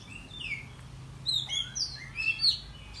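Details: Excited Oriental magpie-robin (kacer) singing in the morning. Sweet downslurred whistle, then several clear, ringing whistled phrases at an uneven pace over a low hum.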